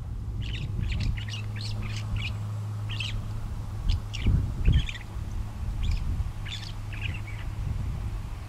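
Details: Northern shrike singing while perched on wires beside railway tracks at Port Coldwell, north shore of Lake Superior, Ontario, on October 12, 2011; a halting series of short harsh, scratchy notes and brief chatters, over a steady low hum.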